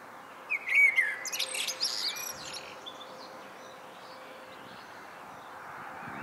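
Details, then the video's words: Common blackbird singing at evening: one short phrase of a mellow whistle followed by high, scratchy twittering, then several seconds of faint background hiss. "Abendgruß einer Amsel"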